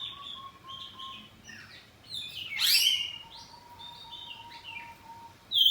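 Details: Home-kept kacer poci oriental magpie-robin singing in answering ngeplong style: scattered whistles and one loud chattering burst over a steady low continuous tone.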